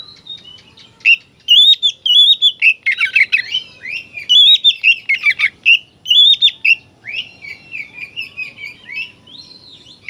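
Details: Oriental magpie-robin pouring out loud song meant to trigger aggression in other magpie-robins: long run of quick, varied whistled notes, trills and scratchy chatters, phrases following each other rapidly for ten seconds.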